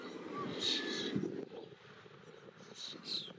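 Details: Common Redshank, one of a dozen foraging together on grassy ground away from water, Parc Izadia, Anglet, in spring: short, high piping notes in two quick pairs about two seconds apart, over steady low wind or engine rumble.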